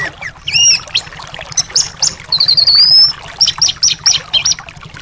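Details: Song of a thrush, used to coax a silent caged bird into singing: short, bright whistled phrases, then a long, thin rising trill, followed by quick, repeated clipped notes against a steady low hum.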